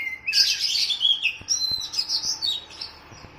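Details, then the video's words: Oriental magpie-robin (kacer) training song for captive birds, matched against a sooty-headed bulbul (kutilang): a rich run of bright, rapidly varied whistles and chirps with sharp rising and falling notes, plus faint clicks below. "KACER VS KUTILANG || MASTERAN 2 MENIT LANGSUNG NYAUTTT"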